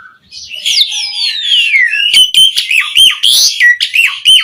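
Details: Asian pied starling in vigorous song used as a lure for other starlings: long descending gliding whistles, then a chain of loud ringing notes with harsh rasps in between.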